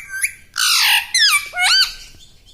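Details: Pet parrot talking like a human in a small room: a harsh, broad squawk-like syllable, then a falling, smoothly bent note and a pair of looping, rising-and-falling voice-like sounds.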